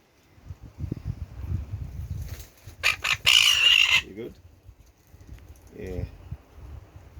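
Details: A red-billed tropicbird nesting in a rocky crevice on the Atlantic cliffs of Montserrat, West Indies, gives a harsh, shrill, rasping scream lasting about a second, with low wind rumble and people's voices around it.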